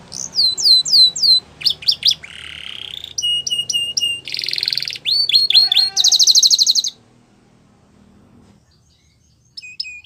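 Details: Belgian canary singing a varied series of tours: quick downslurred whistles, buzzy rolls and a rattling trill, each phrase a second or less, then near silence with a faint final note.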